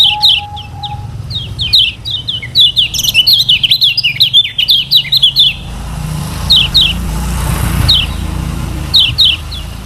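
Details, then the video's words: Lemon-bellied white-eye from Lombok singing, used as a tutor song for other birds: rapid high chattering phrases of short descending notes packed densely in the first half, then sparser paired chips over a low background hum. "KECIAL KUNING PANCINGAN UNTUK BURUNG BELAJAR BUNYI DAN MALAS BUNYI"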